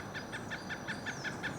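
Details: Pileated Woodpecker calling while upset, apparently by a person nearby: an even run of short, clipped notes at about five per second, set against a steady background hiss.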